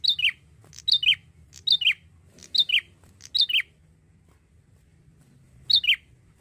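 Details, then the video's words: Young male Bar-winged prinia delivers five rapid two-note phrases in quick succession, high whistle then lower buzz, pauses two seconds, then sings once more; faint hum beneath. "PANCINGAN PRENJAK JANTAN ,MASIH MUDA SUDAH GACOR SANGAT"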